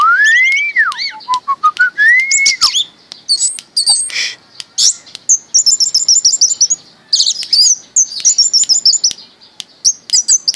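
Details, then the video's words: A pet Orange-headed Thrush, kept since young, sings loudly: clear slurred whistles rising and falling, then rapid bursts of high chattering, twittering notes with short pauses between phrases. "Anis Merah Mabok"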